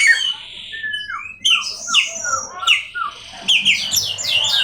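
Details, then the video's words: Oriental magpie-robin (kacer) singing long whistles that fall and slide in pitch, then sharp upward sweeps, ending in a fast run of high, descending squeaky notes. "awas Kacer nya jebol emosi dengar suara Kacer ini"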